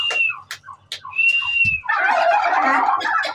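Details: Turkey chicks calling, opening with sharp high peeps and a long, level, high whistled note, then a dense, busy chatter of many overlapping squeaky calls, heard indoors with a faint low hum.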